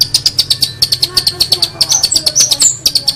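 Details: Long-tailed shrike master recording for teaching songbirds: quick, high, clipped chips repeated several times a second, with a few rising whistled slurs mixed into the steady chatter.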